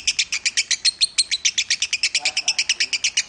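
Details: Lovebird singing Minor-style song, a bird nominated at the Piala Raja contest. It delivers an unbroken series of piercing, high clipped notes, roughly seven or eight each second. Faint low murmuring sits in the background.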